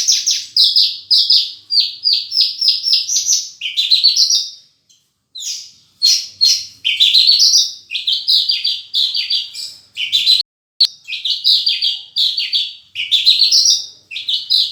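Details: Horsfield's bush lark in energetic gacor song with full isian, a long stream of quick high chirps and rising trills that runs almost without a break, with two brief silences and one sharp click.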